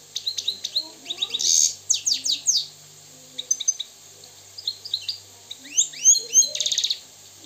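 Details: Wild Moroccan European goldfinch singing: quick bursts of bright twittering and slurred high notes, with buzzy rasping phrases between, broken by short pauses before tinkling runs resume.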